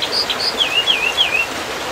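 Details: American dippers at their nest: two brief high chips, then a wavering whistled phrase that dips and rises three times, over a steady hiss of rushing water.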